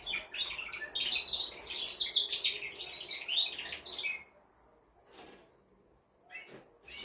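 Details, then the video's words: Singing male canary, stimulating a female to mate: about four seconds of rapid high trills and chirps, then quiet with a few faint clicks. "تغريد طائر كناري جبار يحفز الذكر ويهيج الأنثي لتزاوج"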